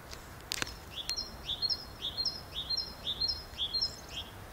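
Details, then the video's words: Great tit delivering a rhythmic run of bright two-note whistled phrases, about seven in a row at an even pace, preceded by a couple of sharp clicks at the start. "Chant de Mésange charbonnière Parus major Great Tit"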